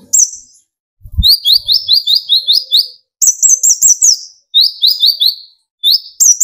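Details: Brown-throated sunbird (kolibri ninja) singing hard as a lure for other sunbirds: strings of five to eight high, upslurred chirps, each phrase broken by short silences, with a sharp shrill trill opening several phrases.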